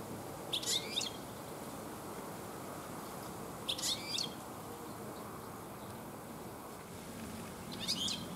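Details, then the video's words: Late-afternoon garden song of European goldfinches, many living there this year: three brief, high, tinkling twitter phrases spaced about three to four seconds apart over a quiet background hiss. "European Goldfinch singing in my Garden - Stieglitze singen"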